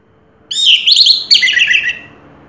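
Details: Orange-headed thrush, first-place winner of a 2022 singing contest, delivering a rapid, warbling phrase of slurred high notes. A brief break splits it into two bursts, then it fades out over a quiet background.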